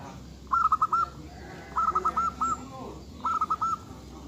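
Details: Local zebra dove singing: three phrases of quick, rolling, stuttered coos, each about half a second long, coming every second and a half over low background rumble.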